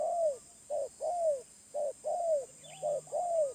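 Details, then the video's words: A wild spotted dove repeats its medium-pitched call. Each cycle is a short hoot, then a longer, smoothly falling coo, delivered in three regular cycles. A faint bird chirp appears near the end. "Tekukur Liar // Suara Menengah"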